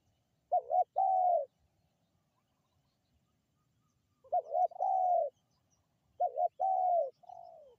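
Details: Spotted dove coos played to lure wild birds: three phrases roughly every three seconds, each a double-stuttered short note followed by a long, gently falling coo, over near silence.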